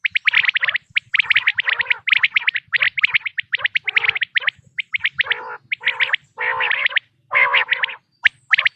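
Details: Quail calling, a natural hunting recording: long stretches of quick high chirping bursts, later mixed with several lower harmonic rolling notes and short pauses.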